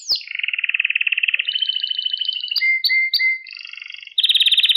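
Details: Pet canary song meant to teach young canaries: a long pulsing mid-pitched trill, shifting to higher rolled tours, short emphatic notes, and a final bright rapid trill.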